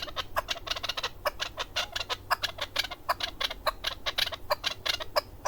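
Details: Male chukar partridge (keklik), a hunting partridge, singing in Darvoz, Tajikistan, in 2020: dense, rapid series of sharp clucking chuk notes, repeated several times a second with uneven spacing, over a low steady hum.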